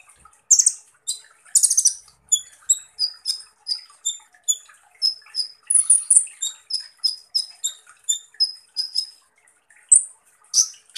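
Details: Kolibri ninja, Van Hasselt's sunbird, in 'tembakan kasar' style: a fast string of thin, piercing high chips with a few scratchy bursts, the notes coming evenly, two to three per second.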